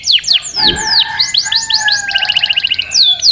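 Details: Canary singing a series of sharp downslurred whistles followed by a quick stuttering trill, with a faint steady low tone running underneath.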